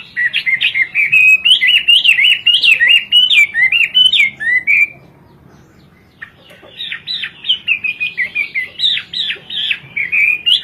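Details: Kowor-kowor song of a Hwamei: a long string of fast, wavering whistles, a pause of over a second, then another rapid run of rising and falling notes.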